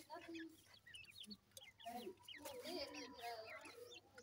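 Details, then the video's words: Grey francolin chicks while feeding: quick upslurred chirps and thin peeping notes mixed with low, soft clucking sounds, several birds calling at once. "gray francolin little chicks feeding,teter chicks awaz"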